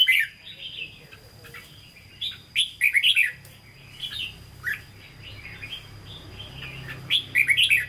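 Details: Caged red-whiskered bulbul offered for sale, singing in the Hue style (giọng Huế), delivering bursts of bright, rapid whistled phrases that rise and fall, separated by short pauses, with a faint steady high hum in the background.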